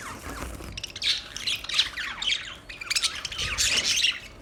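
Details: Scratchy budgie chatter of squawks and bent, sliding chirps, rising to a louder, denser burst near the end.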